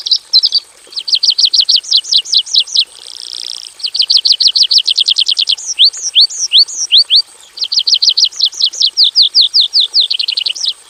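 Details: Javan bush lark singing in a basic aviary: long fast series of sharp downslurred notes, broken by a short buzzy burst, then rising and falling slurs and more rapid runs, loud and high-pitched.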